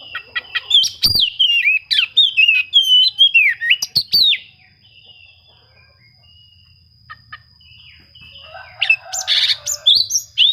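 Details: Oriental magpie-robin song meant to provoke rival birds into singing: rapid, varied whistles and sharp chirps in dense bursts, a quieter stretch midway, then a loud harsh rattling burst near the end.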